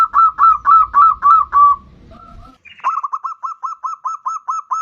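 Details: Perkutut, or zebra dove, bodronoyo type, used as a lure recording for other birds: six rolling coos, a brief murmur of faint noise, then a quick steady train of about ten clipped cooing notes.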